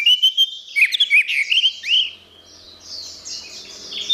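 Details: Orange-headed thrush recorded for training songbirds, delivering a fast, dense burst of varied whistles and trills for two seconds with one sweeping upslurred note, then falling back to soft high twittering.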